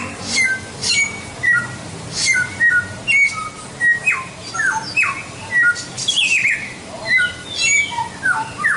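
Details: White-rumped shama song from a tutor recording for training songbirds: clear short whistles and sliding notes, with some sweeping downward, in rhythmic bursts about every half second to second, over faint background hiss.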